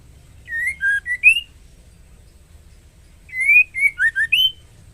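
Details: Breeding female white-rumped shama inviting a male: two phrases of pure whistles, each a run of four or five short slurred notes ending on a rising upward note, separated by a two-second pause.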